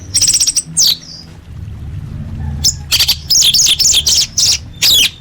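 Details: Orange-headed thrush singing, meant as a lure to make caged birds sing. Very high, buzzy, scratchy notes come in fast bursts, roughly two a second, broken by brief pauses. A faint low hum runs beneath.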